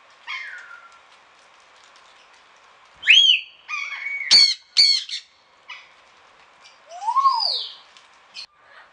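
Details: Sun conure in a garden aviary in Pelhřimov, Czechia, on the rainy morning of 6 November 2017: shrill, harsh screeches mixed with rising and falling whistled squawks, in scattered loud bursts with brief pauses.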